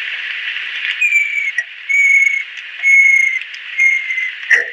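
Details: Four slightly descending whistles from an adult female banded kingfisher, spaced under a second apart, set against a loud wash of insect buzzing in lowland rainforest.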